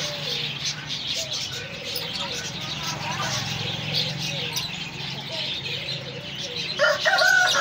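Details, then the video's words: A Polish rooster crows, hoarse and drawn out, over short clucking notes from other chickens and steady background noise. "polish rooster crowing"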